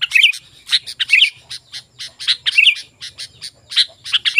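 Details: Singing sooty-headed bulbul, a lure for calling wild bulbuls: steady stream of bright chirps and short warbled twitters in quick succession, with gaps of a fraction of a second between phrases.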